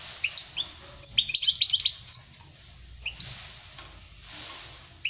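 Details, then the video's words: Goldfinch song for teaching young birds: a quick burst of tinkling twitters in the first two seconds, then mostly quiet with a few isolated chirps and soft hissy background. "Chant chardonneret pour les jeuns لتعليم صغار طائر الحسون"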